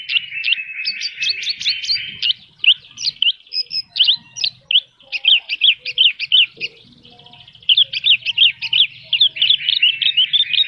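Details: Horsfield's bush lark in vigorous full song: dense bursts of rapid, varied high twittering and chirped phrases with brief pauses, mixing in mimic-like notes, over a quiet background.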